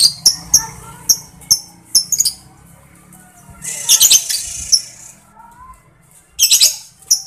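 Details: Lovebird ngetik ticking: sharp, high, clipped ticks spaced about half a second apart, then a brief burst of scratchy chatter and a few more clicks over quiet low background hum.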